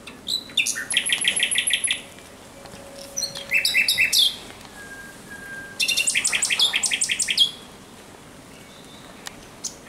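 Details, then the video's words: Singing at night on 17 May 2023, a Common Nightingale delivers three loud bursts of rapid repeated chopped notes with brief pauses and a thin whistle between them. "Śpiew słowika rdzawego nocą"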